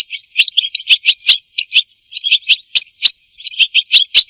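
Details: European goldfinch song, for mating and for teaching goldfinches to sing, made of quick irregular high chips and short tinkling notes that run on steadily without a break.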